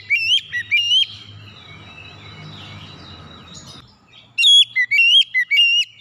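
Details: Loud kacer song, the oriental magpie-robin, meant to stimulate untrained birds: a few sharp whistles, a quieter murmur, then a strong run of high, ringing whistled notes repeated about twice a second.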